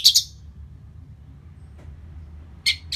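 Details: Orange-headed thrush after moulting, sound played to stir the bird and make it more aggressive: two short, high, scratchy chirps at the start, then silence, then two more sharp high bursts near the end, over a low background hum.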